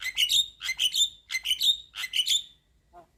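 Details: Young Javan myna in vigorous chattering song, four harsh, buzzy bursts of stacked notes, each about half a second long and rising to a bright whistled peak, then near silence.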